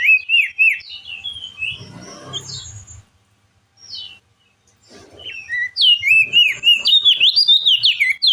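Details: Crested white-eye in full, clear ngeplong-style chattering song, used to prompt a silent, stressed bird to sing: rapid high whistled notes rising and falling, about three a second, with a quieter pause midway and faint low rustling.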